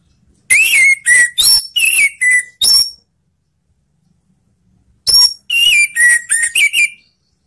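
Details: Song of an orange-headed thrush meant to encourage other thrushes to sing: quick series of sharp, ringing whistles with falling slurs and high overtones, a pause of about two seconds, then another varied burst of whistled notes.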